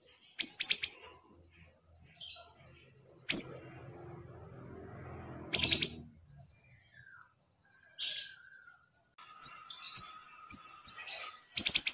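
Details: Pet siri-siri bird singing actively: clusters of rapid, very high, clipped chirps, single piercing notes and a final run of quick repeated high chirps, with faint rustling and a low steady hum behind.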